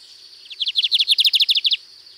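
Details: Lined seedeater singing a distinctive song style at Sítio Paraitinga, Cunha: a fast train of about fourteen sharp, buzzy chip notes delivered evenly over barely more than a second, high-pitched and steady, against a quiet background.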